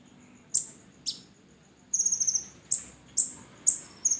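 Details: High, piercing notes from a red-breasted sunbird, played as a lure to get other birds singing: two single downslurred chips, then a rapid trill-like burst, followed by evenly spaced sharp notes about every half second.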